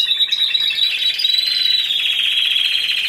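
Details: Timbrado Español canary competing in an individual C2 class at a 2015 Greek canary song contest: a continuous high rolling trill, slightly pulsed, slowly lowering in pitch over three seconds.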